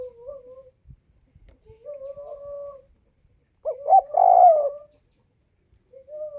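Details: Spotted dove from Vietnam's northwest. Soft, drawn-out level coos come first, then one loud phrase of two quick hoots and a longer descending coo, with further quiet cooing at the end.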